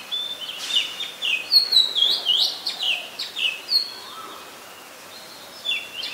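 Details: Oriental magpie-robin song recorded in Ubon Ratchathani, Thailand, 3 February 2023: clear, sweet whistles rising and falling, several looping phrases in the first four seconds, then a quiet gap before another high note; a lower faint whistle midway.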